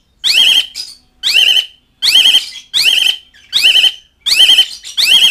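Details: Asian pied starling calling to mates and rivals: seven rapid harsh, buzzy rasping notes in quick succession, some with a short trailing squeak.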